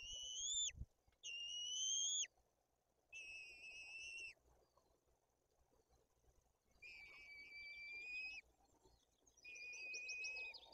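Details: White-tailed eagles feeding two chicks fish at a nest in Bory Tucholskie, Poland, older chick aggressive; long sustained high whistles lasting one to two seconds, some with quavering endings, separated by quiet gaps over rustling background noise.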